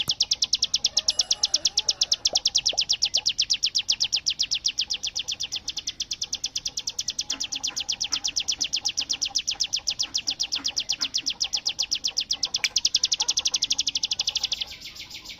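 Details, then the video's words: Bar-winged prinia in rapid "tembakan bren AK47" (machine-gun fire) song style, delivering a long unbroken high rattle of sharp, evenly repeated notes, steady for about fifteen seconds with faint background noise. "cigun gacor full tembakan bren AK47"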